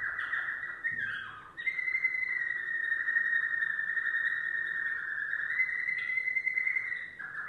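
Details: Yellow domestic canary with a continuous, sustained rolling trill, a short jumbled phrase near the start, then a long steady ringing roll lasting several seconds.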